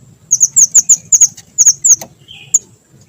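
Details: Small minivet in vigorous song, used to lure and trap birds: a quick string of thin, very high, slurred notes repeated about every fifth of a second, then a lone note after a pause, over a faint low hum.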